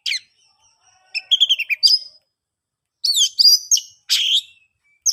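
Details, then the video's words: Song of an oriental magpie-robin, played to prompt silent birds to sing, made of quick chirped phrases with bright warbling notes, two bursts separated by a second of quiet. "KICAUAN ASLI KACER NGEPLONG, paling ampuh di jadikan pancingan kacer macet & bisu jadi GACOR"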